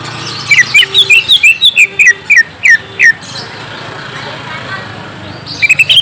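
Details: Greater green leafbird song used as a lure so a young wild-caught bird answers: a loud run of short falling whistles, then a pause and a fresh burst.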